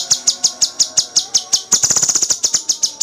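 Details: Cucak cungkok tutor song, full gacor with dense tembakan: evenly spaced piercing high chips, then a quick burst of closely packed notes before slowing again.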